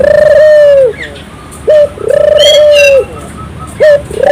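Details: Turtle dove singing 'gacor' to prompt local doves: two long, even low coos with falling ends, each preceded by a brief clipped note. Faint higher chirps alongside.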